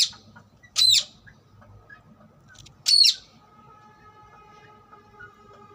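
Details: Wild rose-ringed (ring-neck) parakeet gives two loud, harsh, screechy calls about two seconds apart, each brief and high-pitched, over a faint low hum.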